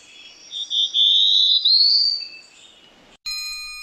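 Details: Black-throated blue warbler (Setophaga caerulescens) song: a few husky, buzzy notes climbing to a higher drawn-out buzz, remembered as 'I am la-zy', followed by a brief electronic tone.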